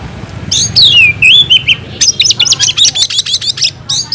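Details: Oriental magpie-robin (kacer) in full fighting song, unloading its repertoire: long whistled glides that dip and level off, then a fast run of sharp, high chipping notes repeated about four times a second.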